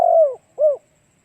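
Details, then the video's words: End of a spotted dove's song from a lure recording for attracting other doves: a long low coo falling away, then one shorter curved coo, followed by silence. "Cu gáy kích mồi tập bổi hiệu quả nhanh"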